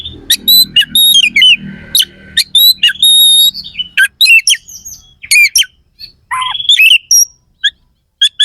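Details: Gacor kacer (Oriental magpie-robin) firing harsh fill-in phrases to stir up competing birds: abrupt rasps and chirps, a couple of steady pure whistles, and a sweeping rising whistle, over a low hum early on.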